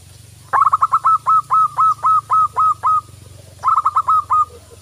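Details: Zebra dove of local type used as a lure for other doves, pouring out a long run of rapid coos that slows slightly, then a shorter quick burst, over a continuous low hum.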